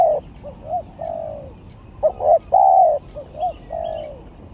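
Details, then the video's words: Spotted dove in a song contest pitting the gagap style against tindan and klantan styles: low hollow coos in short bursts, some rising and falling, grouped in phrases about every second, with faint chirps from other birds. "GAGAP TINDAN VS KLANTAN"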